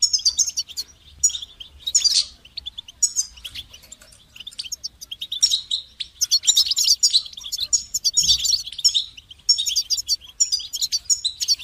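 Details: Goldfinch singing at length: long sequences of high-pitched twitters, metallic chirps and buzzy trills, a quieter patch midway, then an intense, dense passage of rapid tinkling notes.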